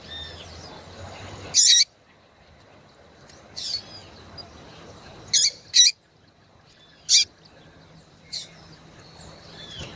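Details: Female yellow-bellied seedeater calling to excite males: five or six short, high, sharp call notes spaced irregularly one to two seconds apart, with quiet background between them.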